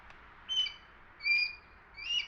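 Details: Juvenile Red-tailed Hawk calling while dive-bombing a Downy Woodpecker just north of Toronto, Canada, in September 2022: three short, thin, high squealing notes, each about half a second apart, over a quiet background.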